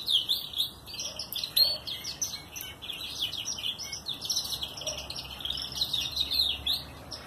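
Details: Red mosaic canary chicks at their first feeding by a breeder, not yet moulted and still yellowish-white; a steady stream of high, scratchy, rapidly repeated begging chirps fills the recording, with brief faint lower noises.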